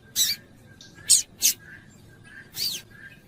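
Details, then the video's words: Female double-collared seedeater calling to excite a male into singing; four short, sharp, broadband chips over about three seconds, the last one slightly longer and downslurred, with a faint steady background hum. "FÊMEA DE COLEIRO FOGOSA PIANDO E CHAMANDO MUITO - ESQUENTE SEU COLEIRO"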